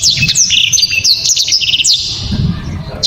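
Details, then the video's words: Short stretch of a kept black-throated canary's loud, sharp, clear song: quick bright chirps, downslurred whistles and buzzy trilled notes packed closely together, with some low background rumble. "BURUNG blacktrod‼️ gila‼️ penuh power full"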